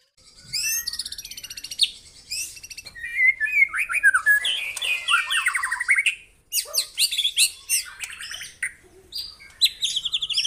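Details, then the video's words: White-rumped shama, a real bird recorded as a tutor song with fierce 'tembakan' bursts: varied loud whistled and trilled phrases, rapid buzzy rattles and sharp high notes in quick changing sequences, with short pauses between bursts. "MASTERAN MURAI BATU TERFAVORIT KOMPLIT TEMBAKAN SUPER GANAS"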